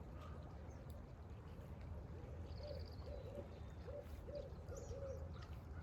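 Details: Two barred owls (Strix varia) call at Lake Storey Park, Galesburg, Knox County, Illinois, giving a run of low, rounded hoots in a loose series over a steady low rumble.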